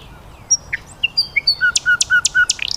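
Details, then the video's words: Common nightingale singing in nature: scattered whistles and sharp high notes, then a run of evenly spaced low piping notes alternating with tall vertical clicks, ending in a rapid rising rattle. "Beautiful Nightingale Birdsong"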